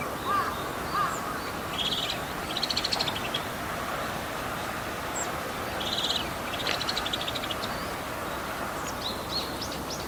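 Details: Male bull-headed shrike on 28 March 2015 mimicking other birds, possibly sparrows and greenfinches: scratchy chattering bursts and rapid trills, with thin whistled notes between, over steady background hiss.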